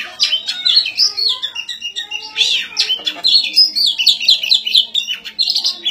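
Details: Kacer, the white-rumped shama, in full song during a fight: loud, continuous whistles and warbling trills, with quick up-and-down slurs and short buzzy bursts following one another with few pauses.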